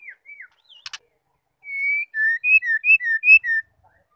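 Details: Calls of a female white-rumped shama, used to trigger male singing: a few short slurred notes and a brief rasp, then a steady series of clear whistles alternating high and low, about eight notes.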